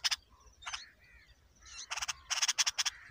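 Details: Bulbul nestlings at feeding time while a parent brings a huge worm: loud, harsh, scratchy bursts in quick succession, a few softer notes between, then a rapid cluster of four or five rasping calls.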